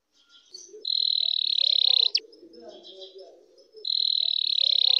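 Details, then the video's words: Canary singing to excite and prepare other birds, with long, steady, high buzzing rolls over a second each, separated by softer, lower twittering phrases. "افضل تغريد كناري للتهيج و التجهيز"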